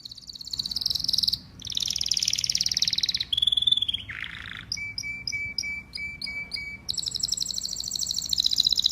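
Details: Canary singing loud, clear song: rapid high buzzy trills in long rolling phrases, a brief lower rolled tour, then a row of quick repeated sharp notes over a steady whistle before the buzzing trill returns.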